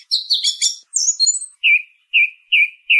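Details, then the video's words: Song thrush opens with harsh, high chattering notes, then a thin high phrase, followed by a mellow whistle repeated four times. Clean recording. "SONIDO de ZORZAL COMÚN CANTANDO"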